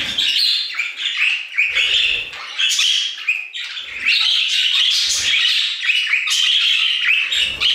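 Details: Several budgerigars singing together in an aviary, a dense, continuous chatter of buzzy warbles, squeaks and chirps with harsh rasping notes, the flock's voices overlapping with hardly a pause.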